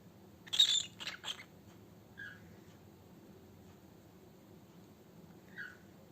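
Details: Pet cockatiel calling indoors, played to make a cockatiel happy and sing: three quick harsh, buzzy screeches close together near the start, then two faint short chirps later over a low room hum.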